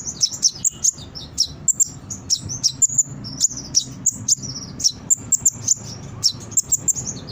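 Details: Brown-throated sunbird song for getting captive birds to answer: continuous high twittering, sharp chips and short slurred notes packed closely, rhythmic bursts throughout, faint low hum.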